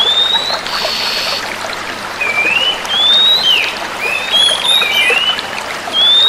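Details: Female Oriental magpie-robins calling back and forth with short clear whistles that slur upward or waver, spaced unevenly, half-buried in a constant rushing, trickling background noise.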